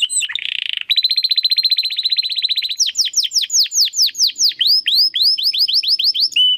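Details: Domestic canary singing continuously in the crystal style, a master track for competition birds. A short buzzy burst leads into a long even rolling trill, then loud, well-spaced downward-sweeping whistles that grow faster toward the end.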